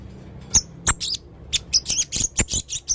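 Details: Male blue-crowned hanging parrot in full song. A rapid string of shrill, high-pitched squeaks and chirps, becoming denser and more continuous toward the end, against a faint low background hum.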